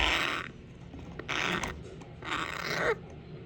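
An African grey parrot gives three harsh, hissing rasps, each about half a second long and roughly a second apart, in a quiet indoor setting.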